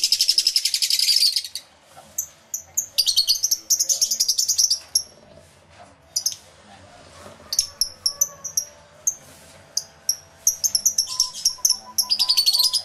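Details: Lovebird flock in an aviary, captured with two external microphones: loud rapid high-pitched chatter at the start and end, with scattered single chirps and quieter stretches between.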